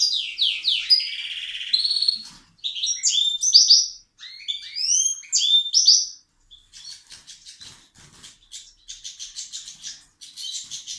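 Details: Pet bird in a cage, singing at its owner's arrival and pecking at anyone coming close; rich tumbling whistled phrases, then a long series of fast dry ticking notes.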